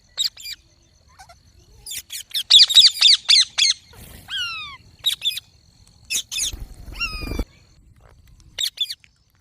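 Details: Green parrot calling in rapid, grating squawk bursts, then several clear whistled notes sliding downward, and a loud rasping cry near the end.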